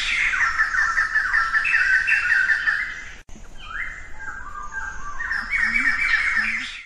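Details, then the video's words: White-crested laughingthrush, living in bamboo thickets and forest understory from the Himalayas to southwest China, in noisy cackling chatter, then a series of rising whistled notes descending stepwise, building again into raucous laughing calls. "Белохохлая кустарница"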